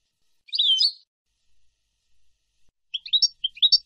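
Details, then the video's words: European goldfinch, from a recording of nahrat and taqasim song used to teach young birds: a short, buzzy twittered phrase, a long silence with faint notes, then a quick run of separate high chirps. Clean, with no other sounds. "شريط لغة حسون نهرات وتقاسيم"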